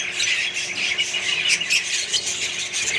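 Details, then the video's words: Australian budgerigars chattering in a colony alongside other birds, a brief burst of dense, scratchy high warbles and squeaks overlapping without break. "australian budgies parrots & more birds colony"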